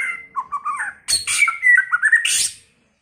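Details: White-rumped shama singing a varied first-season song: low warbled notes near the start, then loud bursts of whistled phrases mixing clear sliding tones with harsh buzzy notes, ending in a rasping flourish; close and clean, no other sounds.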